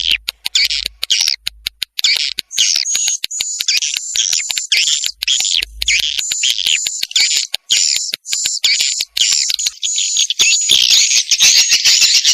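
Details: Lure recording of swiftlet mating calls meant to attract the birds: rapid, shrill, chattering trills repeated almost nonstop, with occasional clicks and a faint low rumble early on.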